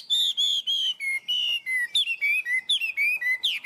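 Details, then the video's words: Tame captive Chinese hwamei pouring out loud, pure whistled notes, each held briefly, stepping down in pitch and then rising again, about a dozen in a row. "Chim họa mi thuần, hót tốt, hót cao cầu"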